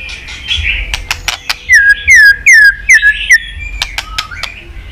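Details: Caged white-rumped shama in Vietnam, song played to rouse pet shamas: sharp clicking ticks, then a run of four loud down-slurred whistles about every half second, with a low hum behind.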